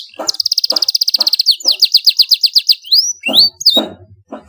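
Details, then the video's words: Loud domestic canary song: a fast steady trill, then slower repeated chirps and rising whistled sweeps, with a few soft low knocks in the background. "kenari GACOR suara LANTANG"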